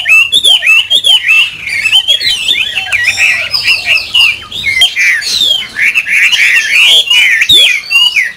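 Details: Chinese hwamei kept in a cage sings loudly and without pause, mixing looping whistled notes, short chirps and scratchy trills in a dense, ever-changing stream.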